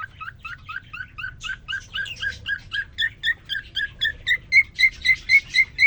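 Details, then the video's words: Male cockatiel in a cage, singing as soon as a female joined him after three days alone: rhythmic chirping notes about four per second, growing louder and shifting into clearer, higher whistles near the end. "The most amazing, and magical Cockatiel twitting you would ever hear."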